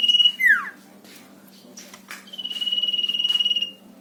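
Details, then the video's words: Javan white-eye singing nyiul style as a lure to make other birds sing: a brief high whistle and a sharp downward slur, a few soft clicks and rustles, then a long, even, finely pulsing high whistle held over a second. "Burung sirtu gacor nyiul pancing bunyi"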